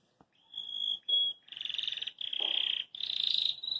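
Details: Caged Belgian canary singing happily while hopping in its cage: a steady high whistled note, a short second whistle, then dense rattling trills held at the same high pitch, separated by brief pauses.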